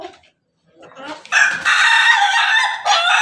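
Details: Ayam Ketawa (laughing chicken) red rooster crowing from on top of its cage. A faint lead-in, then a loud, rich, harmonic crow held for about a second and a half, briefly breaking off and resuming at the end.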